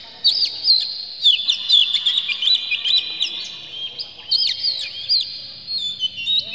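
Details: Agitated oriental magpie-robin, tail fanned, singing a varied song full of fillers to rouse other magpie-robins. Rapid warbling runs of sharp, high notes come in two main bursts, separated by a short quieter stretch.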